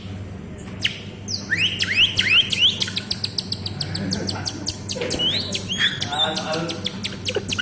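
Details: Canary singing in a lively, nonstop style: quick downward-sweeping chirps run into fast rattling trills and high twitters, packed tightly together over a steady low hum.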